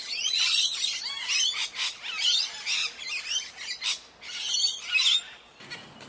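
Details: Parrots in the morning trade shrill squawks with curling whistled inflections, a busy overlapping run that fades out at the very end.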